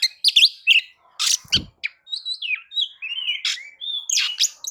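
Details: Continuous Oriental magpie-robin lure song meant to make other birds sing, mixing harsh buzzy notes, one low thump, and sliding whistles that rise and fall in quick succession.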